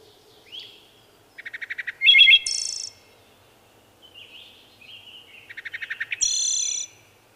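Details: A wood thrush sings two phrases, each opening with a rapid string of low soft notes before a bright fluty flourish and a very high trilled ending; faint quiet notes between phrases.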